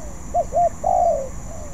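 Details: Young spotted dove still practising its song: two short clipped coos followed by a longer drawn-out coo, with a steady high electrical whine behind it.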